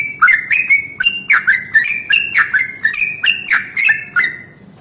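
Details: Yellow-vented bulbul giving its long roll in the morning as a lure for other bulbuls: a fast series of bright, bubbly downslurred notes with clicky tops, which fades at the very end.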